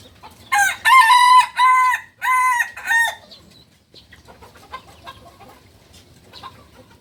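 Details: Four loud, separate crowing syllables, each about half a second and evenly spaced, come from a novice Balenggek rooster of Solok, West Sumatra. The stepped pattern gives way to quieter distant clucks and clicks.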